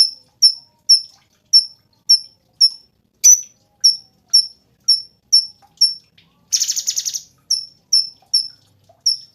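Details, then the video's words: Cungkok song used as tutor material for competition cage birds: short sharp high chips repeated about every half second, with a brief harsh buzzy rattle near the end. "SUARA BURUNG CUNGKOK SUPER GACOR"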